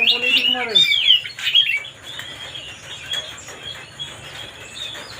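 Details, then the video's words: White-rumped shama song to provoke another bird: a dense burst of loud whistled and warbled notes in the first two seconds, then only faint scattered chirps. "mancing suara kacer biar emosi"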